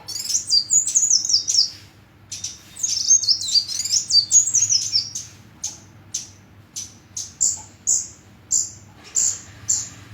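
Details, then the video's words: Hummingbird with long runs of rapid high squeaky twittering, then a steady series of loud single chirps spaced about half a second apart. "Kicau Kolibri"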